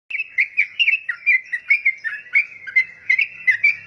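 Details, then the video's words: Yellow-vented bulbul, described as very vocal, giving a steady run of short bright chirpy notes around two to three per second, each slightly rising or falling, fairly even in loudness, with no other clear sounds. "Burung trucukan super gacor"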